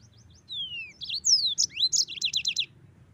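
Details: Yellow-fronted canary singing lively 'gacor' song, a tutor recording for training songbirds: a long falling whistle, then quick sweeping high notes and a fast run of about six repeated trilled notes, over a faint low hum.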